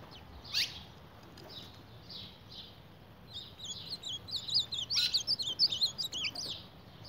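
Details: Ultramarine grosbeak attacking its reflection in a mirror gives scattered thin chirps, then a fast, excited run of high twittering whistled notes over about three seconds. The twittering fades again, with a constant low background hum throughout.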